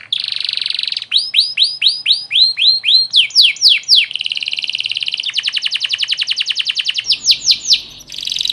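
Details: Canary master recording in the cengkok mewah style, for training other canaries: a steady buzzy roll, a run of repeated curved whistles, more rolls and a fast trill, then bright sweeps.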